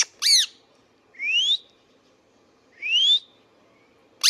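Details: Indian ringneck parakeet, a pet bird, alternating harsh high squawks with two clear upward-gliding whistles about a second and a half apart.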